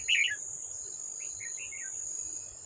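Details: Old wild red-whiskered bulbul at a trap with a decoy bird, 18 July 2024, refusing to come down and fight. A loud burst of chattering chirps opens, followed by softer gurgling notes, all over a steady high insect drone.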